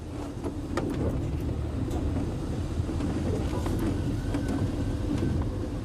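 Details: A steady engine drones at night beneath broad hiss, with a few faint clicks and no animal calls.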